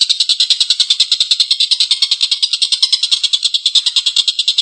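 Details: Rough, extended laugh of a Collared kingfisher: a fast string of harsh, rasping notes that stay steady in pitch and pace for several seconds. Faint ticking is audible beneath.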